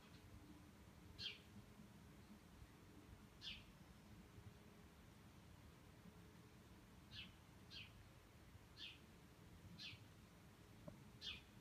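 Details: Flight calls from a migrating flock of Bramblings crossing Cornol on a day when thousands of birds passed; seven brief, sharp, high notes at irregular intervals, some in quick pairs, above a constant low rumble.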